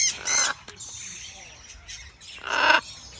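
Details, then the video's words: Baby macaw at brunch with another animal, giving two harsh, raspy squawks, each about half a second long, separated by quieter rustling and soft background sounds. "baby Macaw"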